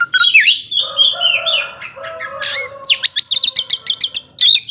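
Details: Oriental magpie-robin singing to provoke slower birds; mellow descending whistles, a harsh burst, then a quick train of crisp repeated notes.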